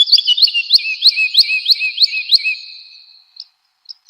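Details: Cage-bird training recording of an actively singing woodlark: about ten sweet, descending slurred notes at roughly three per second, each paired with a lower tone, trailing into a fading hum and two faint closing notes.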